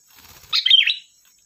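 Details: Lively sooty-headed bulbul singing as a lure that prompts other birds to reply: one brief liquid phrase of tumbling notes ending in a short downward slur, with faint fluttering sounds before it and a constant high hum behind.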